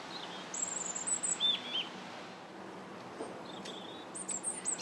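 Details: Robin on January 21st: separate phrases of very high, thin whistles, each a few notes long, spaced out over a few seconds against a soft background hiss.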